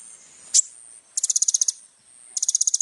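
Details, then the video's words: Little spiderhunter (kolibri ninja) singing a varied song for tutoring young birds; a sharp single chip followed by two short, very high rapid rattles, over a faint background hiss. "SUARA BURUNG KOLIBRI NINJA GACOR FULL ISIAN MEWAH"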